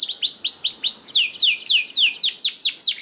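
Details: Canary song played to coax reluctant canaries into singing: a rolling series of loud, high, downward-slurred notes, each sweeping into the next, repeated about four times a second without pause.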